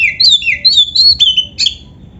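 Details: Oriental magpie-robin singing vigorously in the 'gacor full isian' style: a fast run of loud whistled phrases sliding down and up, with sharp chirpy accents between notes and no other sounds.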